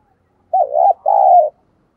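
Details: Decoy spotted dove calling to wild birds: two clean, mellow coos, a short wavering one then a longer steady one that slides slightly down at the end, in a quiet setting.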